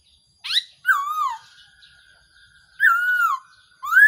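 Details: Black-throated laughingthrush decoy call, known locally in Thailand as a so-hu bird, used to lure birds for trapping: a squeaky upsweep, then clear slurred whistles that drop in pitch, ending in a rising whistled note.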